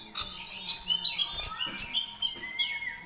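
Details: Common iora giving varied gacor song with fill-in phrases: a stream of short high whistled and chirping notes over a noisy background with low rumble and a steady faint hum.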